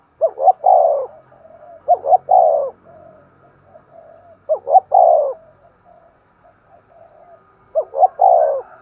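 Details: Cooing of a spotted dove, used to encourage a decoy bird to coo and call: four three-note phrases, two brief rising notes then a longer falling coo, about every two seconds, faint murmuring coos in the gaps.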